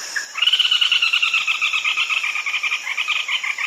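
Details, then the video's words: Red-legged crake calling, a call used at night: a loud, rapid run of sharp nasal notes that starts strongly and slowly fades over several seconds, with a thin, constant insect hum behind it. "เสียงนกอัญชันขาเเดง ใช้ต่อกลางคืน"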